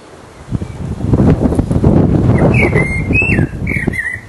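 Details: Resident blackbird singing its mating song in full voice: a run of mellow, fluting warbled phrases, rising and falling, in the second half, over a loud low rumble of wind or passing traffic.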